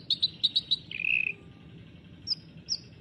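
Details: Sooty-headed bulbul in full chattering song: five quick bright chirps, a short buzzy trill, then two thin high whistled notes after a pause, with faint low background rumble.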